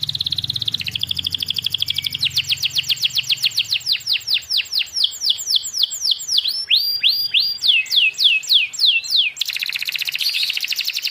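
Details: Canary singing for training a stalled canary. A steady buzzy trill opens, then a long run of rapid, sharply down-slurred whistled notes, then another dense rolling trill at the end.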